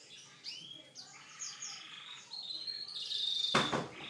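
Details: Canary in a song called unique: sliding whistled notes and a sustained high tone, building into a loud harsh burst near the end.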